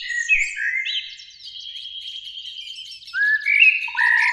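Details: Two Eurasian blackbirds singing high in a springtime beech tree beside a lake on an evening: mellow fluted phrases sliding between low and mid pitch, with thin high twitters trailing off, then a fresh rising whistle and a steady low note near the end.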